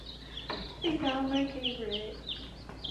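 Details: Sixteen newly arrived baby chicks, just collected from the post office around 7 a.m., peep over one another with high, short, falling notes in a quick run while a woman talks excitedly over them.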